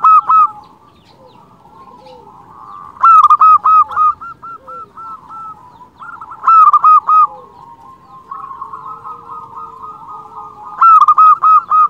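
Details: Local zebra dove song, meant for luring and trapping zebra doves. Four strong phrases of fast repeated coo notes come roughly every three to four seconds, with faint rolling trills of other doves between them.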